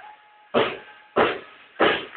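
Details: Amazon parrot, a pet, imitating human speech and saying hello: three short, harsh, broad bursts about two-thirds of a second apart, each a loud rasping syllable, in a quiet indoor setting.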